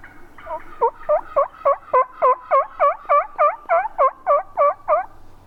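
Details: Wild turkey yelping during a spring youth turkey hunt in Virginia, where a gobbling tom was with hens and calls went back and forth: a steady run of about fifteen rasping yelps, three or four per second, in quiet woods.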